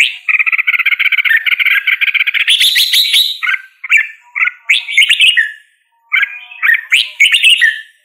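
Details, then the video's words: Red-whiskered bulbul singing: a rapid stuttering trill of even notes for two seconds, then a harsher burst and several separate warbled whistled phrases with a short pause. "Red whiskered Bulbul Singing Call Sound | Red whiskered Bulbul Bird Singing"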